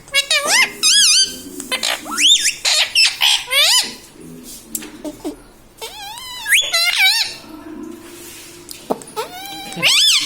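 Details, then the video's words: Pet parrot talking, taught to say mummy and papa: a quick run of harsh, nasal, word-like syllables with bending, rising and falling pitch, given in bursts across the whole stretch with short pauses between. "talking parrot mummy papa"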